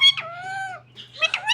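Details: Parrot indoors: a short harsh note, then a long, level, nasal drawn-out tone. A quick jumble of speech-like syllables follows over a faint steady hum.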